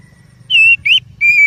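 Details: Oriental magpie-robin song used as a lure for other birds: three clear, sustained whistled notes, the middle one rising, over a low hum.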